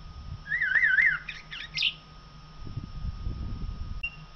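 Common blackbird singing one mellow, warbled fluting phrase that ends in a burst of higher, scratchy twittering notes, over a steady hum and low rumbling background noise.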